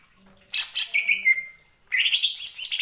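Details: Provoking song of a greater green leafbird, aimed at getting other leafbirds to join in: a harsh chattering burst, a sustained clear whistle, a short pause, then a fast buzzy, twittering run of high notes.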